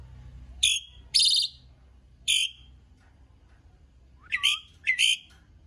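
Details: Asian pied starling in full song: loud, harsh, rasping notes spaced irregularly, then a short rising whistle leading into more grating squawks, with faint low hum behind.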